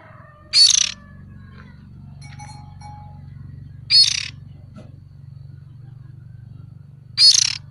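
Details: Juvenile oriental magpie-robin used as a lure: three short, harsh, high rasping bursts, one about every three seconds, over a steady low hum.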